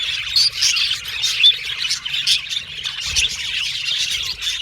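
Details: A flock of pet budgerigars chattering: rapid high chirps and warbled notes overlapping, with louder bursts roughly every second and a brief squawk near the middle.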